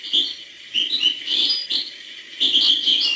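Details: Hbal-style singing of a European goldfinch: short clusters of high, bright chirps and slurred notes separated by brief pauses.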